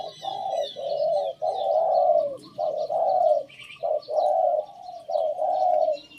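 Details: Decoy Spotted Dove cooing, its phrase remarked on as not pretty: low, hollow coo notes in uneven bursts, roughly fifty a minute, with short gaps between phrases; faint high chirps from other small birds behind.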